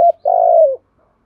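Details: Single phrase from a spotted dove used to provoke other males, sung in the 'giọng thổ' voice said to be one in thirty: a brief clear hoot, then a long vibrating coo that slides gently downward.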